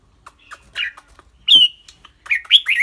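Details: Red-whiskered bulbul kept in a cage, singing clearly and chattering: scattered soft notes lead to a loud, ringing down-slurred note, followed by a cluster of bright warbled chirps.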